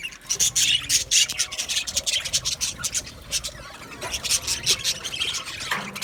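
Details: Australian budgies in an aviary colony, a dense flock chatter of fast high chirps and squeaks crowding together, with quick bursts and brief lulls throughout.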